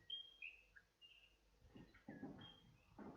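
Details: Western Whipbird from a population whose call is most like the local version: a repeating round of high, thin, scratchy whistled notes, some rising and some falling, like a creaky turning cartwheel, with low rustling thuds between phrases.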